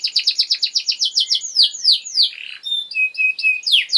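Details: Canary song used as a master recording to train young birds: rapid repeated high trills of descending notes, then sweeping downslurs, a buzzy burst and short level whistles, all high-pitched.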